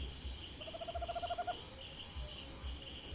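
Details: At night near a house, a Tropical Screech-Owl (corujinha-do-mato), a very common species, gives a single fast trill of about a dozen soft, low, evenly paced notes. A steady high insect buzz continues underneath.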